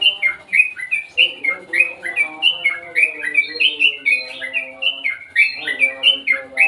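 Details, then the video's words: Sooty-headed bulbul pouring out a continuous, bouncy series of high chirped notes, rising and falling in quick succession for nearly seven seconds, close and loud. "suara burung crucukan bagus"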